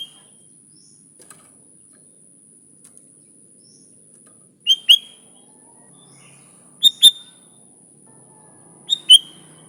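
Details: Sooty-headed bulbul, used as a lure for its own kind: sparse, clipped, high whistles given in doubled pairs roughly every two seconds, with near silence between them.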